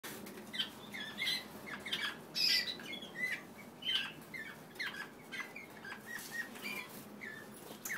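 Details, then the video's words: Several German Roller canaries, described as happy, in a flight: short bright chirps and trills at irregular intervals, some rising and falling, with wing flutters between the notes. "Opal German Roller Canaries"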